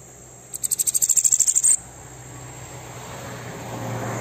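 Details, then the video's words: Bananaquit giving an aggressive song meant to fire up other birds: a rapid, very high run of about fifteen sharp ticking notes over a second, with a steady thin high whine and low hum behind. "Sibite 🔥 CANTO AGRESSIVO PARA ESQUENTA SEU SIBITE"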